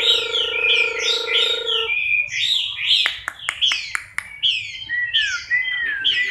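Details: Chinese hwamei in moult, October 2015, singing loud slurred whistles that swoop up and down in quick repeated phrases, after an opening low buzzy drone and with a few sharp clicks midway.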